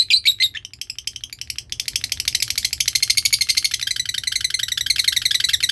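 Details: Lovebird giving the long ngekek trill used to train other birds: a sharp chattering burst, then a long, fast, steady run of harsh rattling notes repeating many times per second.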